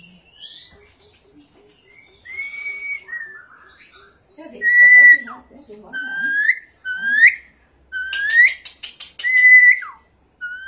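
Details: An Asian pied starling sings a varied string of clear whistles, some flat and some rising sharply. Soft, low chattering comes early, and a burst of rapid buzzy notes follows near the end.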